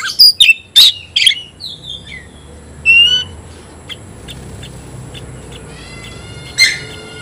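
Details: Oriental magpie-robin challenging an opponent: a few loud sharp whistled notes and slurs at the start, then sparse fainter chips and a thin harmonic whistle, with a quiet background.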